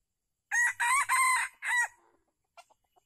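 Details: Red junglefowl in Calang, Aceh Jaya, Indonesia, 12 February 2020, heard while a wild bird is lured by a decoy; a loud four-part crow, harsh and ringing with the longest middle note and a shorter final note, then faint soft clucks.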